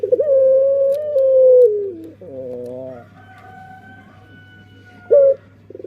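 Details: Dove song: a drawn-out, level, crow-like coo lasting nearly two seconds that sags at the end. A wavering softer note and a long faint tone follow, then a brief closing coo. Low hum throughout.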